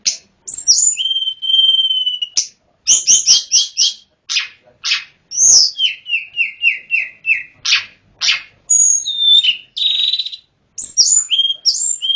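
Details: Wild mountain-forest Hill prinia with a song of many varied phrases: a sustained whistle, clusters of quick notes, a run of repeated descending slurred whistles, and buzzy high bursts.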